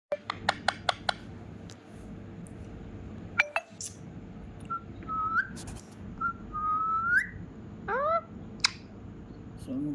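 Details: Pet rescued ringneck parrot indoors, prompted by its owner, gives clear rising whistles, a few sharp clicks at the start, then a short nasal cat-like mew near the end; a low room hum runs underneath.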